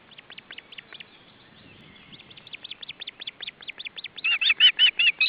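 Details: Osprey at its nest in Estonia in July, with fish brought for supper: a long series of sharp, repeated chirping whistles, about two or three per second, growing louder and more strident toward the end.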